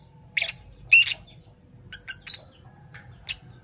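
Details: Morning chirping from two Fischer's lovebirds, parblue violet and parblue turquoise: a handful of rasping chirps and one brief whistled note, spaced unevenly, against a steady low hum.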